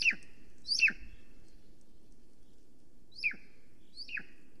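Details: A female golden eagle arriving at the nest in Estonia, calling and preening, then flying calling around the nest at 9:53 am on 13 July 2020, gives four thin, high, downslurred yelps in two pairs over a low rumble.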